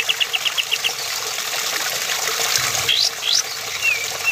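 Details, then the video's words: Male sooty-headed bulbul singing: a quick run of seven short, bright chips, then sharply rising whistles and a few falling slurs, over steady rushing water-like hiss. "Masteran Kapas Tembak Gacor"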